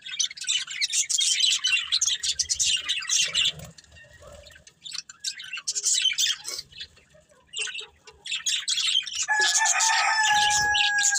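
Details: Budgerigar breeding pair in a family group: busy bursts of high, rasping chirps and warbles come and go, with quieter gaps around the middle and a long, steady, drawn-out lower tone entering near the end under the chatter.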